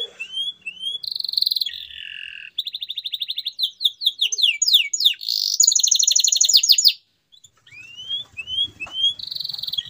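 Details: Canary song to get mute canaries singing again: varied sections of steady buzzy trills, rapid sweeping whistles and a long rattling roll, then a pause and rising chirps.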